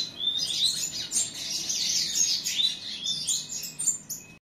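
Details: Canary chick giving a lively, tumbling song of fast high trills and chattering notes that swell and fade, ending with a few sharper chirps.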